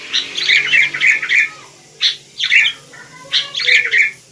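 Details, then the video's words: Wild sooty-headed bulbul giving bright, gurgling phrases of several quick notes, separated by short silences, with three clear bursts across the clip. "Rame Kicau Burung Kutilang"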